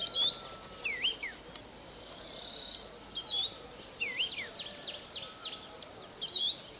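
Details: December 2011 recording from a sugarcane field at Bulechia, Western Kenya: an unidentified bird repeats a short phrase of clear, dipping and rising whistles roughly every three seconds, backed by a continuous shrill insect chorus.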